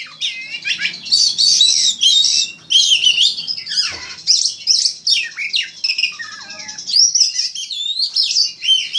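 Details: White-rumped shama contest master song: continuous, energetic medley of loud whistles, harsh chatter and sweeping notes, fast and varied, barely pausing, with a faint low hum in the background.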